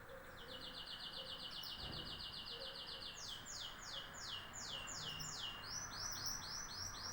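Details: Singing canary delivering a long fast trill of identical high chirps, then switching to a series of slurred swooping notes and finally another rapid rolled phrase, about four notes per second, over a low background hum.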